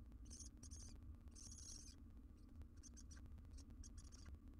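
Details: A wild barn owl at a monitored nest box, recorded by a live camera, gives harsh breathy hissing bursts about half a second long. Short gaps separate them, over a steady low electrical hum with faint clicks.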